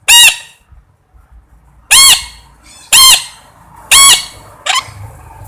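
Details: Four loud, rasping parrot squawks about a second apart, ending with a shorter, lower cry, over a faint low hum indoors.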